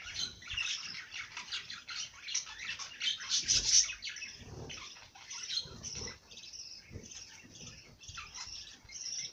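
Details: Fairly soft, continuous twittering of bird song, with quick high chirps about two per second and a louder sharp burst near the middle.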